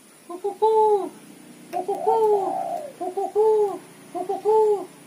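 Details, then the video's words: Female spotted dove chattering call for luring: four groups of short notes rising into arched, falling coos, about one group per second, loud and close; faint clicks. "suara tekukur betina gacor ketrekan / derkuku betina gacor cetrekan untuk pancingan"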